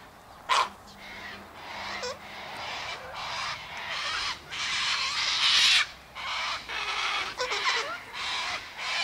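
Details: Sulphur-crested cockatoos in a flock eating sunflower seeds, wheat and birdseed mix near an eastern gate, giving loud grating screeches in ragged bursts, some long and drawn-out, with quieter chatter between.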